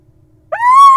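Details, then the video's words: Little owl at a nest box holding nestlings gives a single clear, tonal note that swoops upward then holds steady, cut off abruptly after a moment of silence. "From Chirps to Snores: The Adorable Little Owl Lullaby"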